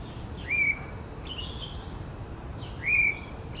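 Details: Mimicking other birds in woodland, a male white-rumped shama gives two rising whistled notes. Each is followed by a quick burst of sharp, high, stacked notes, with quiet pauses between phrases.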